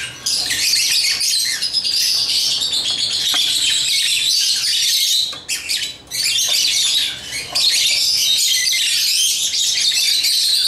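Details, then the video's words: A long run of shrill, overlapping chirps from African lovebirds playing with toys, with a short break around five to six seconds before the chatter surges back. "Love birds chirping & playing toys"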